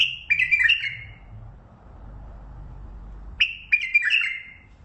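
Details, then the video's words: Clear, fluty whistles from a Mandali bulbul in lisanat style, two phrases of quick descending notes about three seconds apart. "بلبل مندلاوي لسنات تغريد"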